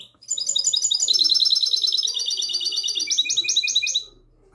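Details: Classic-style song of a goldfinch hybrid, recorded the night of 22 March 2020: a fast, continuous stream of bright chattering twitters and trills, about four seconds long, with shifting notes near the end.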